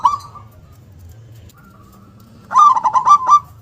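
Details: Zebra dove of local stock with a powerful, loud voice and a sharp "KUNG" note. After a faint trailing coo and a pause, a strong phrase bursts out: rapid rolling pulses that finish on a bright sustained tone.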